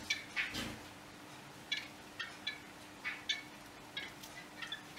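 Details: A Yellow-bellied wattle-eye gives short, scratchy, clicking notes, spaced irregularly and sometimes doubled, with a steady low hum in the background.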